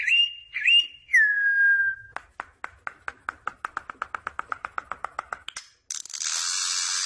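Troupial giving clear, rich whistles, one rising then a long falling note, followed by a fast run of about twenty dry clicks, then a burst of hiss.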